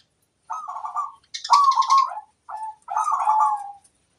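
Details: Local zebra dove singing, three rolling cooing phrases near mid pitch, each a quick run of throbbing notes ending in a longer held coo, separated by short pauses; quiet background.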